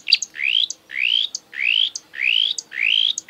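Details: Marsh warbler singing in the breeding season, known to mimic African and European birds: five rising, drawn-out whistled notes, each introduced by a sharp click, about one every 0.6 seconds.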